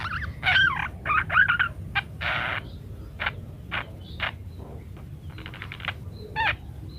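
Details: Parakeet chattering song used as a master recording: fast squeaky twittering notes, a harsh rasping burst, then spaced clicks and short chirps roughly once a second, with a low background hum.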